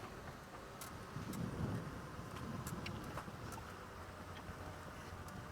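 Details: An idling vehicle engine rumbles throughout, with scattered sharp clicks and rattles, and no animal calls.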